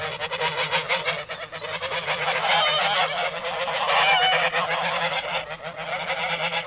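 A flock of mallards quacking together in a dense, harsh, overlapping chorus.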